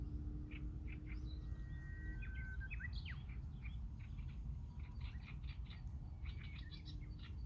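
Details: Japanese bush warbler in a chorus of many birds: steady whistled tones followed by sharp, sliding notes early on, with dense overlapping chirps and tweets from other birds throughout over a steady low background hum.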